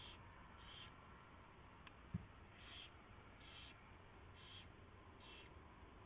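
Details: Owl at its nest before dawn, 4:21 AM on 24 February 2016, during a mouse delivery and feeding; six short rasping hiss-like bursts, spaced unevenly, over a steady low background hum, with one faint knock.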